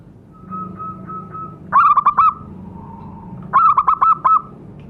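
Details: Zebra dove call used as a lure to make captive doves call: a steady mid-pitched tone, then a rapid rolling burst of stuttered cooing notes, a pause, and another similar rolling phrase, over low background hum.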